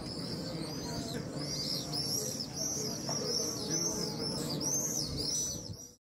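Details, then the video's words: Swifts flying over the Western Wall, recorded 12 May 2021, give shrill arched screams in quick overlapping runs from several birds, while a crowd's voices murmur low underneath. "swifts over the western wall"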